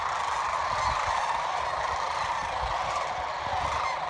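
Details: Evening fly-in of sandhill cranes along Nebraska's Platte River, a massed chorus of countless rattling, bugling calls blending into one unbroken roar.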